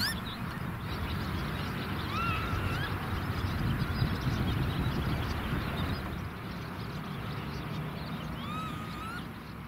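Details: Northern lapwing chasing a smaller redshank away from its chicks in a meadow bird area: two separate slurred, wheezy whistles that rise and then drop, well apart, over heavy low wind rumble.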